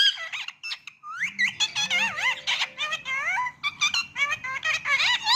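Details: Talking Indian ring-necked parrot in a small room: squeaky, wavering mimicked speech syllables in quick succession, with a couple of low hums beneath early on.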